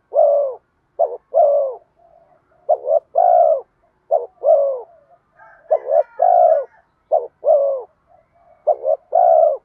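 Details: Spotted dove used as a decoy to lure wild doves, in the bronze-voiced 'giọng đồng pha thúc' cooing style. Low cooing phrases, each a short clipped double note followed by a longer falling coo, repeat steadily. A faint higher twittering is heard midway.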